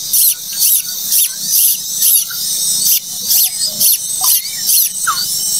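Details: Hissing, high-pitched begging from a late-hatched common koel chick, harsh bursts repeated a little over twice a second, with scattered faint chirps in the background.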